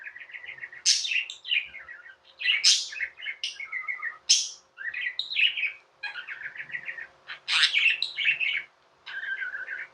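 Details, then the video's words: Indian pet budgies singing and chirping indoors, continuous trilled warbles punctuated by loud sharp high chirps roughly every two seconds, forming a lively, chattering stream. "Budgies | Talking | Singing | Chirping sounds"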